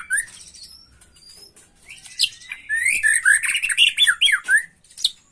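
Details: Agitated young white-rumped shama singing macul style, with thin high whistles, then a loud tumbling series of sharp downslurred and warbled notes before a brief pause and a final note.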